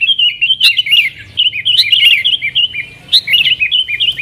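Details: Sooty-headed bulbul giving nggaruda-style song meant to lure wild bulbuls, a continuous bubbling chain of liquid, up-and-down whistled notes with occasional sharp accents.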